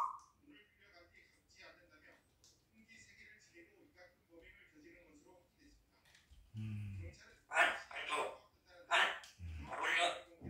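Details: Three-year-old pet grey parrot gives soft, speech-like murmurs, then a run of four loud, harsh, bark-like calls about a second apart in a small indoor room.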